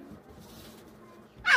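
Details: A cockatoo harassing a puppy gives a single loud, harsh, rasping squawk, cut off abruptly, after more than a second of quiet room hiss.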